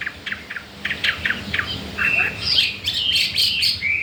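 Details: Chinese hwamei, a wild-caught bird only days in captivity, starting with soft scattered clicks before breaking into loud, bright whistled and chattering phrases.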